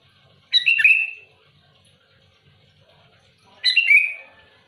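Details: Two loud, bubbly phrases from a sooty-headed bulbul challenging rival birds, each a rapid tumble of notes dropping into a slurred whistle, about three seconds apart.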